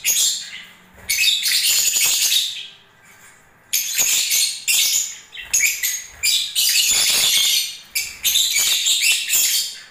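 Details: During the breeding season, lovebirds sing and move about in long bouts of rapid, shrill twittering chatter, briefly interrupted by short pauses, with faint low thumps in the background.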